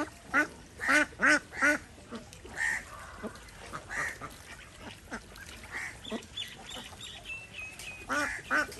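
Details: Desi ducks on a village duck farm in India, swimming in a pond; a fast run of four loud nasal quacks, then softer scattered calls, a thin whistle-like note, and another pair of quacks at the end.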